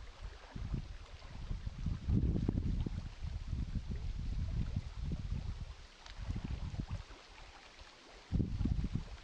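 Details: Gurgling, rushing water and wind rumble rise and fall throughout, with no animal voice present.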